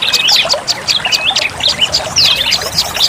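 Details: Lure sound of olive-backed tailorbird: bright twisting whistles and quick chirps in short bursts, some notes sliding downward, with light background hiss.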